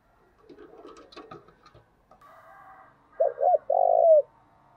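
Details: Spotted dove call used to stimulate other doves toward the 'thổ' voice: faint clatter and softer sounds first, then two short looping coos and a long rough coo falling at the end.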